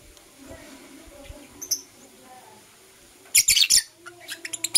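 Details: Morning chirping from blue opaline and parblue euwing opaline lovebirds: quiet start, then a loud rapid burst of sharp squeaky chirps followed by several short clicks and tweets.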